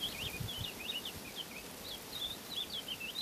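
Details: Woodlark quietly singing as it preens: faint, wavering whistled phrases of short rising and falling notes, partly masked by a hissing background.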